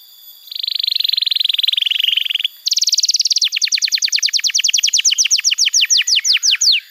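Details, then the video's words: Canary training song for young birds: a buzzy rattling trill, then a higher rapid trill that slows into distinct downward-sweeping notes repeated several times a second. "Masteran Kenari PAUD & Pancingan Kenari MACET BUNYI‼️"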